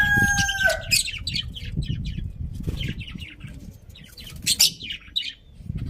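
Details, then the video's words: Budgerigars chirping: a long whistled note, then a busy stream of short scratchy chirps and chatter from several birds, with low rumbling noise underneath throughout. "Cute Budgies Chirping Sounds"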